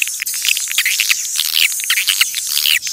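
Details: Clean swiftlet call from nature, used to attract swiftlets: short, bright chirps and small rising squeaks over a steady hiss of rapid high clicks.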